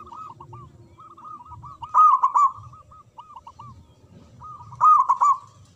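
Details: Zebra dove of local stock, known for a big voice, giving manggung song: strings of short, hooked coo notes broken by two loud, rolling trilled phrases about three seconds apart, over faint low background noise.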